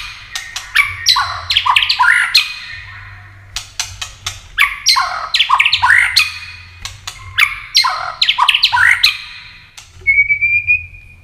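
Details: White-rumped shama singing a 'tạch' style contest song with tail-flicking, meant to rouse other birds into competitive singing; rich bursts of warbled, swooping notes mixed with sharp clicks, three long phrases separated by pauses, ending on a thin high whistle.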